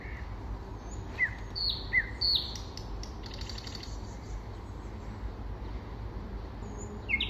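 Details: Common nightingale singing in spring: a few sharp, downward-slurred whistles in quick succession, then a long quiet pause over a steady low rumble, and a final high note at the end.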